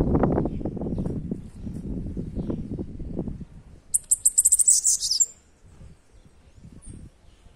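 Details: Bananaquit (sibite) singing: after a stretch of low rumbling noise, a fast, high-pitched run of about ten sharp buzzy ticks lasting roughly a second, ending in a brief squeaky note, then quiet background.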